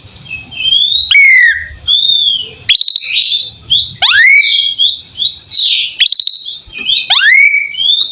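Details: Asian pied starling song used as a master recording for tutoring songbirds: loud, close, varied whistles, with level and rising slurs and sharp down-sweeping notes recurring about every three seconds, joined by short buzzy warbles.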